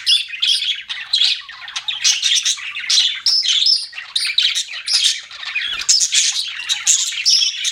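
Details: Chattering pet budgerigars: rough, squawky warbles and high chirps tumble together in an unbroken stream, with occasional sharper squeaks standing out.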